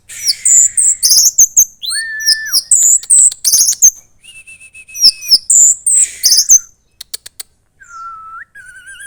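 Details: Young caged red-headed thrush (orange-headed thrush) from Klaten, Central Java, in full loud song; fast high twitters and chattering, a level whistled note held about a second, then softer slurred whistles at the end.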